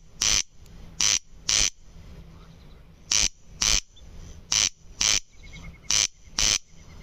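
A corn crake gives its dry, rasping double call, 'crex-crex', in pairs roughly every one and a half seconds; faint, high notes from another bird are heard in the background.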